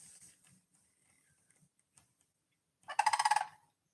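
A Sandhill Crane gives one brief, loud, rolling rattle, a burred trumpeting note of about half a second, after a few seconds of faint background murmur.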